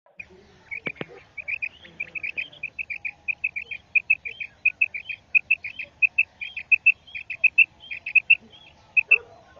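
A female quail gives a long run of short, high, clipped notes, about three or four a second, over a faint low background rumble.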